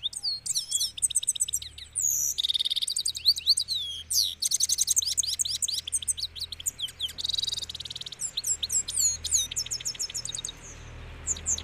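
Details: Sustained song from a Himalayan goldfinch, with long runs of rapid, high, tinkling twitters and sharp chirps interspersed with several harsh buzzy rattles, continuing energetically throughout, over a faint low background hum.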